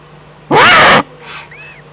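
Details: Eurasian eagle-owl in the Eifel, Germany, 11 April 2014: a single loud, harsh, hissing screech lasting about half a second, rough and broadband with a faint wavering tone. Softer echo-like traces follow against a quiet background with a steady low hum.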